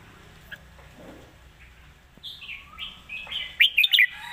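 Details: Red-whiskered bulbul, described as a rising-star bird with good phrasing and a light voice, starts with soft slurred notes after a quiet stretch, then ends in one loud burst of three sharp chirps.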